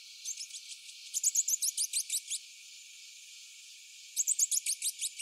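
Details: Rufous-breasted hermit hummingbird twittering: bursts of rapid, thin, very high falling notes, eight to ten per second-long phrase, with softer notes before and a second phrase after a quiet gap.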